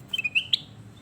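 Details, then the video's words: Sooty-headed bulbul (kutilang emas) training song: a few quick whistled notes stepping slightly down, then a higher, sharper closing note, with soft background hum. "Masteran Mewah Burung Kutilang Emas Mantap"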